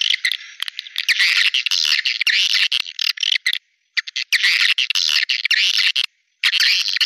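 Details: Swiftlet calls used as a lure: thick, buzzy chattering from many birds in long bursts, broken by two brief silent gaps near the middle and end.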